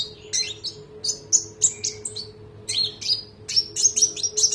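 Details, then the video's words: Konin of the trotol type singing as a training recording for other birds, with sharp shot-like notes. High whistled and sharply slurred notes come in quick clusters, with a steady low hum beneath. "MASTERAN TERBARU KONIN NEMBAK MEWAH❗❗ KONIN TROTOL GACOR NGEROLL PANJANG"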